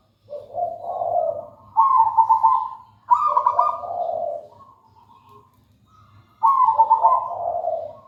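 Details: Zebra dove of local wild stock singing steadily: a run of purring, trilled coos in three bursts, each rolling from higher bubbling notes into lower soft tones, with a low hum throughout.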